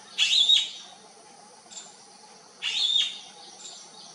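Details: Bee-eaters looking for their flock call in two loud, burry, trilled bursts roughly two and a half seconds apart, with softer distant answering notes in between.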